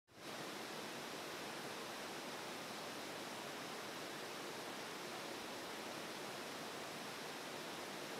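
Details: Steady rushing of a mountain stream near where a wren preens, with only water noise heard.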